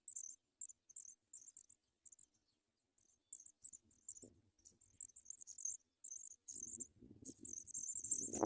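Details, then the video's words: Begging from Paddyfield pipit chicks in a nest during feeding: short high squeaks repeated in irregular groups, thickening into a continuous shrill chatter at the end amid loud rustling. "Paddyfield pipit bird Butterfly director gives baby food"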